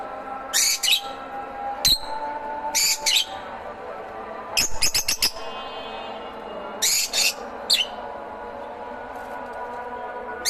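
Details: Lovebirds giving loud, harsh, high chirping bursts in separate groups every second or two, with quieter pauses and a faint hum between.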